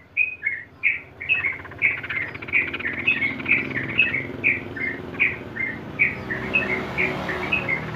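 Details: Sooty-headed bulbul in the ngeropel singing style, meant to coax trucukan into steady ropel: a continuous stream of sharp whistled notes at an even pace, with muffled background noise growing near the end.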